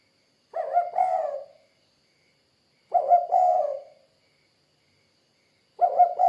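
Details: Spotted dove repeating a short burred cooing phrase roughly every two and a half seconds, each a pair of low rolling coos, with three phrases in quiet surroundings.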